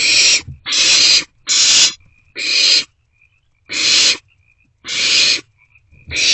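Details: Barn owlets at night in an owl box, 27 March 2024, passing food back and forth; loud, long rasping hisses in quick succession, some nearly overlapping, with soft thuds between.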